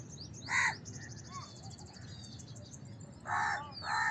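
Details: House crow giving a single harsh caw, then two rougher caws near the end, amid high-pitched chirping of small birds.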